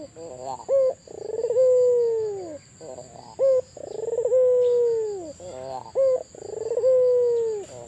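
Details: Albino collared dove cooing persistently: a short stuttering note, a brief clipped coo, then a long, smooth, gently falling coo, with the pattern repeated three times. A steady high electronic whine runs throughout.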